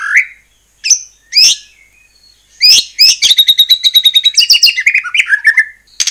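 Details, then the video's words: Murai batu, the white-rumped shama, singing loudly as a provoking lure for rival shamas: scattered rising whistles with pauses, then a rapid chattering trill that breaks into varied slurred notes. "murai batu gacor AMPUH buat PANCINGAN murai batu agar bunyi JADIKAN burung murai gacor EMOSI NYAUT"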